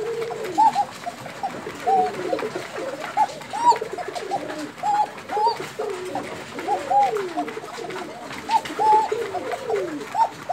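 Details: Several Bashiraj koka pigeons in Tangail overlap: bright, short rising-falling notes scattered irregularly above a busy bed of low, sliding coos.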